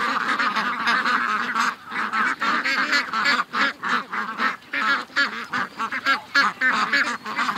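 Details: Morning rush of 700-plus ducks and geese toward the lake, August 6th, 2015; a thick wall of honks and quacks at first, then rapid choppy bursts of calls with brief gaps between.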